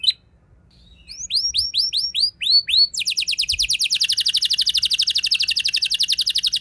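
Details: Canary performing a 'ngeroll' rolling song used as a lure for other canaries: after a brief quiet start, a string of high slurred downward whistles gives way to a very fast, even, high trill that runs on to the end.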